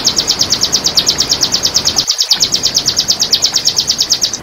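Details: Long, rapid, evenly paced high trill of sharp chirps, roughly three per second and steady, from a Red siskin lure and tutor recording meant to train caged birds, with faint background noise.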